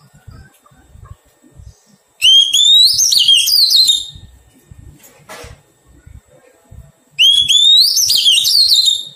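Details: Two bold, rising and warbling whistled phrases, five seconds apart, from a wild-caught Oriental magpie-robin being tamed; a brief dull knock sounds between them.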